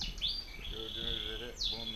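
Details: European goldfinch male and female put together as a pair; thin downward-sweeping whistled notes open and close the phrase around a sustained high thin tone, with a faint low murmuring voice underneath.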